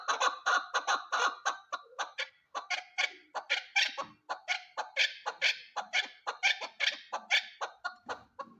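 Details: Female chukar partridge calling: harsh, raspy notes repeated rapidly in quick bursts, fairly high and broad in tone, with short breaks between runs.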